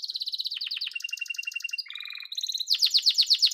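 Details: Singing yellow domestic canary: rapid high trills, a steadier mid-pitched roll, a short low buzzy phrase, then a loud burst of quick, sharply dropping notes.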